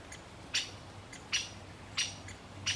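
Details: Male great spotted woodpecker calling as it feeds a chick: four loud, abrupt, sharp 'kik' notes spaced about two-thirds of a second apart, each with a fainter tick between, over a low steady hum.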